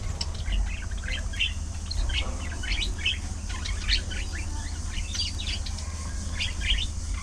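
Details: Afternoon feeding time for budgerigars, many birds twittering together: quick, sharp chirps and scratchy warbles come in rapid overlapping runs throughout, backed by a low droning noise.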